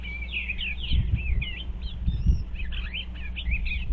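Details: Eastern bluebirds inspecting a birdhouse on 25 February 2023, giving a run of soft burry warbled phrases, with low thumps and rumbling in the background.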